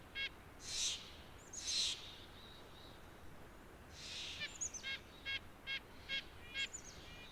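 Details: White-breasted Nuthatch (Sitta carolinensis) giving short nasal, tinny 'yank' notes, about seven spaced through the clip and quickening near the end, among a few breathy rushing bursts.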